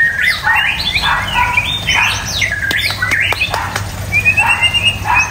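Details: White-rumped shama singing loud slurred whistles and sweeping phrases, broken by a few sharp clicks, then a thin high trill near the end, with a low hum behind.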